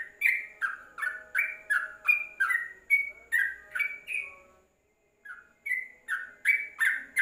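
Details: Yellow-vented bulbul song used as a training recording for caged songbirds: a fast run of bubbly, slurred whistled notes, about two to three per second, each dropping or rising slightly, with a short pause before the phrase resumes.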